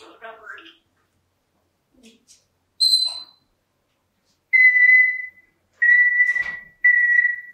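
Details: Indoor pet African grey parrot, female, in her morning routine: a short garbled speech-like burst, then a high brief chirp, followed by three clear steady whistles, each under a second, about a second apart.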